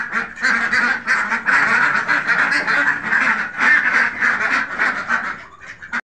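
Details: Farmed Khaki Campbell ducks, a flock quacking together in a dense, continuous chorus of harsh, nasal quacks that overlap at a rapid, irregular pace and never pause for the full length.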